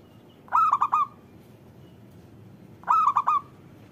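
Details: Perkutut, the local zebra dove, cooing to coax other doves into voice: two clear phrases of three or four rapid, rolling, slightly trilled notes about two and a half seconds apart.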